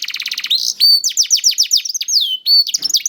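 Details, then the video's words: Young canary in song, played to stir hesitant canaries into singing, starting with quick repeated chips, then loud rising-falling whistled slurs about three per second. "PANCINGAN KENARI PAUD TERBUKTI AMPUH MEMANCING KENARI SUSAH BUNYI IKUT GACOR"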